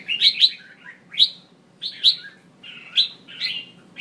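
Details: Female red-whiskered bulbul call to prompt male singing: spaced bright chirps, each sliding upward then falling, roughly one every half to one second.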